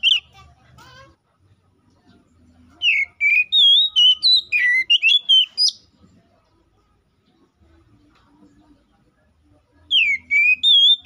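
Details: Oriental magpie-robin (kacer) in energetic 'gacor ngeplong' song, calling a rival, used as a lure to make other magpie-robins sing: a brief high whistle, a long pause, a burst of varied clear whistled notes, then a short whistled phrase.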